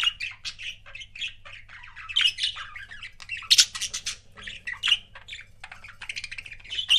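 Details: Budgerigar pairs kept as pets chatter steadily, a stream of high twittering notes, chirps and a few sharper squawks, with louder peaks throughout.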